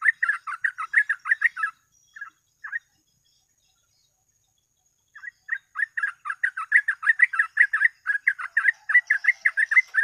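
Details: Sooty-headed bulbul in rapid 'gacor ropel' song, a lure for bird catching: a fast burst of warbling notes, a couple of isolated calls, a long silence, then a sustained, accelerating stream of bubbly whistles.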